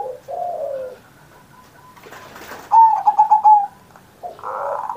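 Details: Zebra dove in a long singing session on Indonesian Independence Day, meant as a master song to stir pet doves into singing. It gives soft, low falling coos, then a loud burst of quick trilling notes, then another coo, with a brief hiss between.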